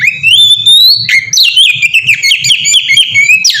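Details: Oriental magpie-robin singing melodiously in 'ngeplong' style, a lure to make other magpie-robins sing. One long rising whistle leads into busy, jumpy phrases of chirps and slurred notes, with a low hum beneath.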